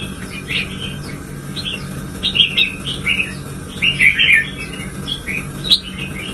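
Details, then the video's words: Red-whiskered bulbul kept as a pet, provoked into fierce singing: irregular bursts of rich chirping, warbling notes, some clusters tighter and louder, over a constant low mechanical hum. "Kích chào mào căng lửa"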